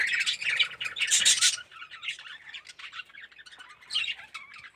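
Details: Red-eyed yellow budgerigars in an aviary colony give a loud flurry of shrill chirps and squawks in the first second and a half, followed by softer scattered twittering.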